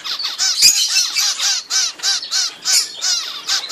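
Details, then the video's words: Young zebra finches only a few weeks old begging as their mother feeds them; loud nasal, buzzy calls in rhythmic bursts about three per second, each with stacked arching harmonics, plus one brief click. "Diamantini Mandarino: Imbecco naturale dei Pulli"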